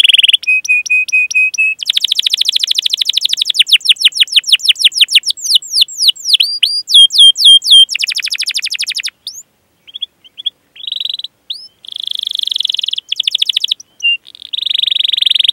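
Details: Canary with a long 'cuit cuit' rolling song, used as a lure to train young canaries and restart silent ones: flat repeated whistles, fast rattling trills, swooping down-slurred notes, scattered chirps and a closing buzzy roll.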